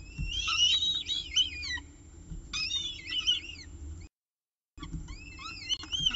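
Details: Peregrine falcons at a nest during an evening meal, 18 October 2018 at 6:51 pm (CSU Orange nestcam), give high, squealing, wavering calls in busy overlapping bursts, broken by a brief silence, over a low background rumble.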